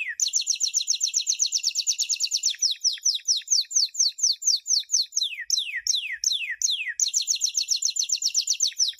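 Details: A 2016 champion canary training song aimed at young birds. Long rapid trills alternate with series of sharp downward-sweeping whistles, the rhythm shifting between even rolls and slower slurred notes.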